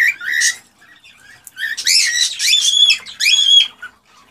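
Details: Agitated male cockatiel song to stimulate a hen to mate and breed: an opening squawk, a quiet pause, then long harmonic warbling phrases with clear whistled overtones, ending in soft chatter.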